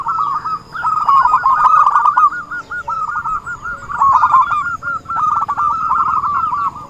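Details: Song of a zebra dove used to lure others into a trap: repeated phrases of fast, chattering coos at a constant pitch, each phrase rising in volume, with short gaps between.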